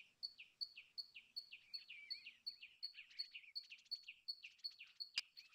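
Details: Common tailorbird giving a run of loud, sharp, falling notes at an even pace of almost three per second, overlapped by another bird's scratchy twitter and a sudden click near the end.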